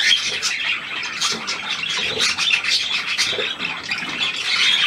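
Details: New hand-tame Australian pied budgerigar, recorded 17 February 2023: continuous dense, scratchy high chattering with quick squeaky notes, no pauses throughout.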